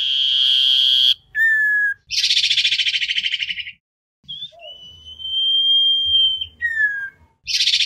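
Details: Used as a lure, this common iora song calls the flock: a long whistle, a short drop, a buzzy trill, then a drawn-out slightly rising whistle and another falling note.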